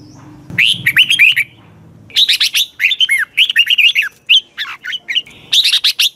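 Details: Red-whiskered bulbul giving a spirited morning training song used as decoy calls: a brief bubbly phrase, a short pause over a faint low hum, then a long rapid chain of chirpy, swooping whistled notes.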